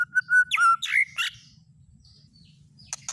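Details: Brief burst of white-rumped shama lure song used to draw out another shama's song: quick clear whistles and harsh buzzy notes in under one and a half seconds, then near silence with two faint clicks.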